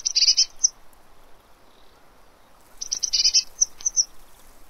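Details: Eurasian blue tit at a fat ball feeder in Pellerey, France, on 3 March 2017. Two short bursts of very high, thin, rapid chattering notes come about three seconds apart, with faint low background noise.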